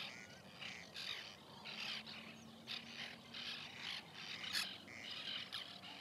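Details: Nesting colony of white-winged terns, 2021, full of rasping, buzzy calls in quick irregular bursts from many birds, over a soft continuous low tone.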